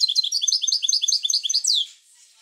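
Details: European goldfinch song used to stimulate other goldfinches to sing: a fast, bright twittering run of high, tinkling, slurred notes for about two seconds, ending in a sharp downward-sweeping note, then quiet.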